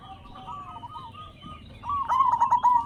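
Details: Local zebra dove with a loud voice, used as a lure to get captive zebra doves singing: soft, faint cooing at first, then a louder burst of rapid, rolling, staccato coo notes in the final second.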